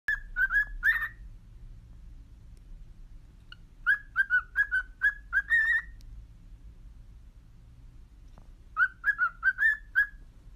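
A cockatiel whistles short, bright, slightly rising notes in quick rhythmic bursts.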